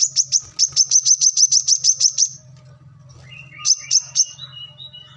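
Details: Brown-throated sunbird, called kolibri kelapa, manggar or wiceh locally, singing in energetic gacor style for training other birds: a quick run of shrill chips, a short lull, then three more sharp notes with lower thin whistles and a steady low hum behind.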